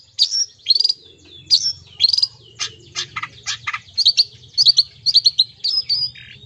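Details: Long-tailed shrike song packed with imitated fills, used as sound therapy to get mute or sluggish birds singing: varied sharp whistles, rising slurs and dense chirp bursts high in pitch, in quick clustered phrases.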